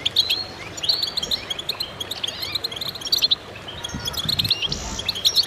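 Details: Several goldfinches singing together in a chorus: dense, tinkling twitters and short buzzy trills overlapping high up, with a few dull low thumps near the end.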